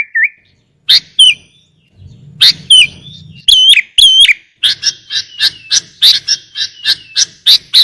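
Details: A Sooty-headed bulbul's fill-in song, used to train other bulbuls and as a lure: a brief whistle, scattered sharp clicks and looping whistled notes, then a rapid regular series of harsh chattering notes.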